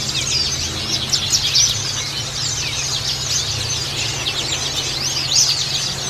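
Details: Bustomi white-eye song meant to encourage a lazy caged bird: busy, thin, high twittering of quick chirped notes and short trills, unbroken throughout, with louder flourishes near the start and end, above a constant low hum.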